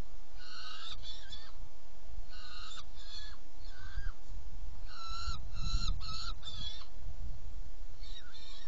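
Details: Saker falcon calls from a nest box at feeding, 17 June 2018, 10:31; grouped bursts of two to four harsh, buzzy notes spaced through the recording, with low rumbling and some knocking in the background.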